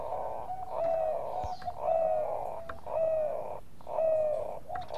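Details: Zebra dove of the Bangkok type, used as a lure to get other birds singing: soft low coos repeated about once a second over steady background hiss.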